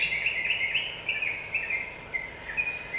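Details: Yellow-vented bulbul song played as a lure to provoke other birds into quick agitation: a steady run of warbled, chattering notes in a continuous stream, with faint background hiss.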